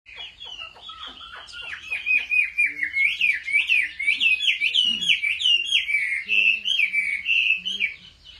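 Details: Caged Chinese hwamei in competitive singing during home training: loud, varied whistled phrases of rising and falling slurred notes, fast and nearly continuous, with some soft clicks at the start.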